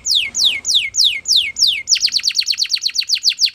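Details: Spanish Timbrado canary singing a training song: a tour of about six high, falling whistled sweeps, three per second, then a fast, bright trill of quick repeated notes.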